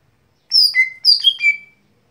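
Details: Lesser green leafbird (cucak hijau gotri), daily song: two short bursts of bright, clear whistled notes stepping downward from high to lower pitch, each ending in a drawn-out level whistle, over a silent background.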